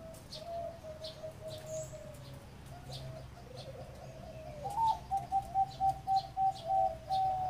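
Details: Zebra dove song in the ร้องตับ style. Soft, level coos and a rough warble come first, then a crisp series of about seven evenly spaced, clipped high notes grows louder.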